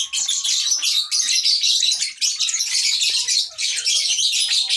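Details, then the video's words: Baby lovebird chirping: a dense, continuous stream of high, scratchy chirps and twitters. It barely pauses, with short dips near two and three and a half seconds, and faint lower squeaks underneath. "lovebird sounds baby bird - lovebird chirping sounds"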